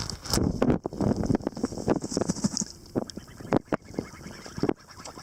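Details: Three pet geese calling, with uneven bursts of harsh, nasal honks that come in short clusters and stop briefly between them, over a rough background of broadband noise.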